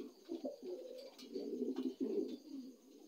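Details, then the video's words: Dun Lahore pigeon, a new adult, kept indoors: low, throaty rolling coos that run almost continuously in rippling pulses, with faint room noise and a few soft knocks. "Dan lahori pegion লাহেরি নিউ এডাল্ট ডান লাহোরি কবুতর"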